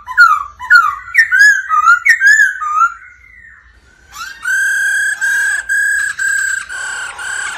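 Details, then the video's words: Black-throated laughingthrush male, stimulated by the female's 'ro ro' call, sings bouncy up-and-down whistled phrases, pauses, then holds a series of long, steady, rich whistles with slight breaks. "Chim khướu Bạc Má hót múa tiếng mái ro ro kích tróng"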